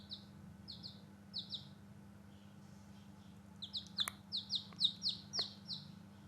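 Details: Newborn chicks outdoors peep in high descending notes, a few sparse pairs and then a louder rapid run, with a couple of sharp clicks and a constant low hum.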